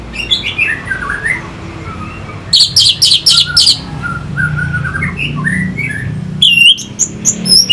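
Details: Lure song of an orange-headed thrush meant to excite fighting birds: soft descending whistles, a quick run of loud sharp notes, then scattered sweet phrases and a final high chattering flourish.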